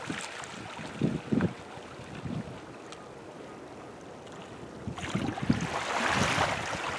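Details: Windy shoreline at South Portland, Maine, with scattered low splashes, steady surf hiss and a brighter rush of water near the end; no animal voices.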